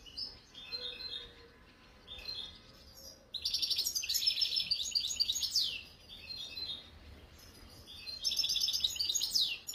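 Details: Captive European goldfinch in Algeria singing in the khalwi style; rapid bright twittering with buzzy trills and fast upward sweeps, delivered in bursts separated by quieter pauses.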